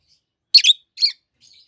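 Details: Pair of adult peach-faced lovebirds, green-bodied, one red-faced and one yellowish white-faced, giving two sharp, shrill, harsh chirps about half a second apart, followed by a faint twitter.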